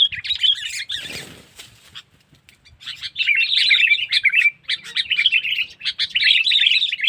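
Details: Sooty-headed bulbul using a cengkeram-style lure call to attract a wild bird. Busy chattering twitters, then a brief rush of wing-flap-like noise and a quiet spell, followed by sustained rapid chirping.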